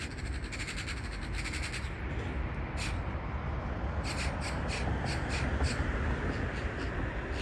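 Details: City magpies quarrelling in Gdańsk, Pomerania, Poland, spring 2022: rapid dry chattering rattles in irregular bursts, loudest in the second half, over a steady low traffic roar.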